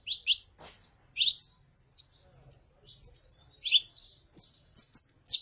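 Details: Saffron finch pair, female calling while the male sings: dense bursts of bright, sharp high chirps and doubled notes coming in quick clusters, louder and busier toward the end.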